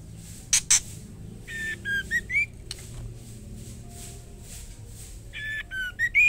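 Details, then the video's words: A female White-rumped shama calls to the male with brief phrases of flat and rising whistles, repeated twice several seconds apart, with sharp clicks and a continuous low background hum. "murai batu betina gacor memanggil jantan white rumped shama"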